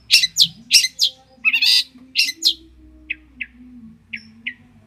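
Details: Long-tailed shrike, a champion songbird from Banyuwangi, Indonesia, recorded for tutoring other birds: loud harsh chirps and a buzzy note, then softer, thinner single tweets spaced about every half second over a low steady hum.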